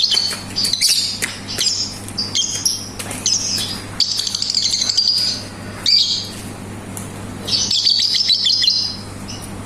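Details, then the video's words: Lovebird delivering ngetik and ngekek song: bursts of high rapid ticking and harsh buzzy chatter in phrases of one to two seconds separated by brief pauses, with a faint steady hum in the background. "BURUNG 🐦LOVBIRD SUARA NGETIK TAMBAH NGEKEK"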